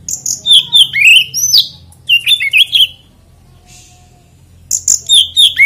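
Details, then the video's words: Kacer, or oriental magpie-robin, in 'ngeplay' style lure song meant to set other magpie-robins singing; rapid high chirps and whistled downslurs in quick phrases, a pause of nearly two seconds with a faint hiss, then another burst of sharp notes. "PANCINGAN KACER NGEPLAY ANTI NGRIWIK DIJAMIN KACER LAIN IKUT GACOR"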